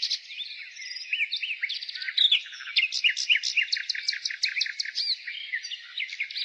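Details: Spring nightingale song, dense and continuous, with fast sequences of clipped, repeated high notes and whistled slurs over a busy background of further bird voices.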